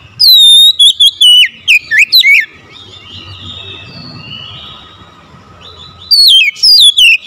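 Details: Oriental magpie-robin song for provoking a mute bird into answering. It opens with a fast, jerky phrase of varied whistled notes, goes quiet except for faint distant warbling, then resumes with another lively whistled burst.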